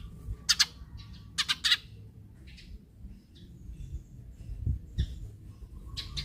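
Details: Eurasian tree sparrow chirping, played to set off other sparrows calling: short harsh chirps in pairs and triplets, with fainter chirps scattered between and low background hum.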